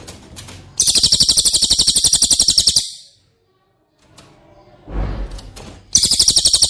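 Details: Cililin training song for caged White-rumped shama: a rapid, high, pulsed buzzing trill lasting two seconds, a pause with a low rumbling noise, then the trill starts again.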